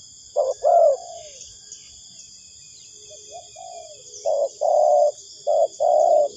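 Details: Spotted dove lure for trapping, giving low coos in two bursts with a quiet pause between, over a continuous high electronic whine.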